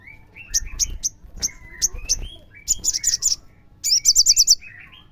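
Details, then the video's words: Crimson sunbird song offered as a lure to make other sunbirds answer: a string of sharp high chips followed by rapid, very high buzzy trills in dense bursts, with short whistled slurs woven between. "PENGGACOR SOGON AMPUH❗❗PASTI nyaut bunyi DENGAR suara pancingan sogon gacor ini"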